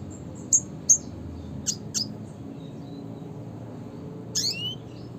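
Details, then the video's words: Red siskin classic call: two piercing high chips, a pair of softer scratchy notes, then a drawn-out buzzy falling call near the end, over faint background hum. "suara panggilan burung red siskin klasik (spinus cucullatus)"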